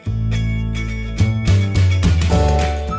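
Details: Plucked guitar music plays loudly, with no animal sound.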